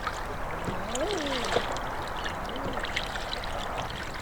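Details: Rippling stream water and boat noise while sailing on the Tay, with a person's low speaking voice rising and falling in the background and no animal calls.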